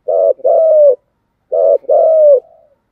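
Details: Spotted dove in continuous thúc gù cooing: two phrases, each a brief rough note joined to a drawn-out, smooth, softly falling coo, separated by a half-second pause, with no other sounds.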